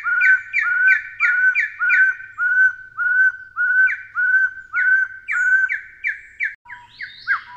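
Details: Taiwan hill partridge, a species endemic to Taiwan's dense low- to mid-elevation mountain forest undergrowth, gives a long series of clear whistled two-part notes, a short low note followed by a higher upslurred one, repeated rapidly, becoming more varied toward the end.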